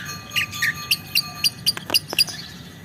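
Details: Lovebird giving a quick series of sharp, high chirping notes, roughly four per second, ending in a few clicking ticks.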